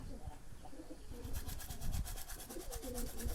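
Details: Pigeons, at a time when male and female birds are being told apart: low, soft cooing phrases rising and falling, repeated through the clip, with rustling and knocking noises below and a faint human voice.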